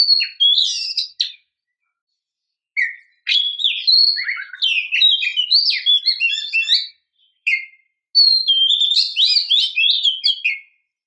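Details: Female oriental magpie-robin luring a male, giving scattered bursts of fast, jumbled twittering and short whistled slurs, separated by pauses of a second or more.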